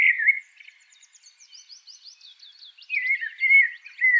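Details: Common blackbird song: a low, mellow fluted warble, then a thin, squeaky high twitter, then another rich fluting phrase. The background is clean, with no other sounds.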